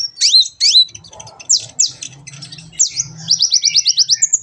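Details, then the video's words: Sunbird called kolibri ninja, singing for a training recording: looping rising-falling whistles and scratchy notes, ending in a rapid even series of short high strokes, over a faint low hum. "masteran burung Kolibri ninja agar cepet gacor dan ngobra"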